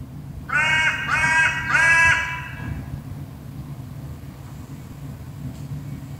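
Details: Hooded crow calling loudly in Berlin: three harsh, rasping caws in quick succession, each about half a second long, then quiet with low steady city hum underneath.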